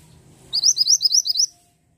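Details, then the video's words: ['Pied bushchat singing actively: a quick run of about eight bright, high, upslurred whistled notes over roughly one second. Faint low background hum comes before the phrase.'] "BURUNG MANTENAN GUNUNG GACOR"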